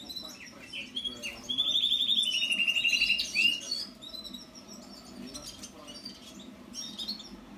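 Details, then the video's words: House finch delivering a short warbled phrase of quick chirps that runs into rapid trilled series, then fainter scattered high notes afterwards, with a constant low background hum. "Canto do pintarroxo mexicano"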